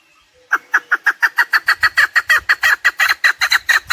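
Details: Chukar partridge giving a brisk, repeated chuck-chuck call, notes tumbling at just over three per second for three and a half seconds, with faint low thuds underneath. Sound intended for hunting partridge.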